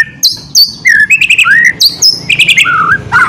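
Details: Loud white-rumped shama singing ngeriwik to trigger other birds into song: high flat whistles, clicking bursts and lower warbled slurs tumbling one after another.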